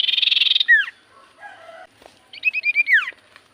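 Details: Javan white-eye song offered as a lure so common iora respond: an opening rapid buzzy trill with a falling slur, soft lower notes, then a string of clear repeated whistles ending in a steep downward sweep.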